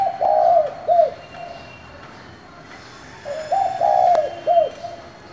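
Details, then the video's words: Spotted dove with 'giọng thổ' voice calling to provoke other doves: two phrases about three seconds apart, each a long mellow coo closed by a short, clipped, arched final note. "Cu gáy giọng thổ gọi, thúc kích bổi nhanh nổi"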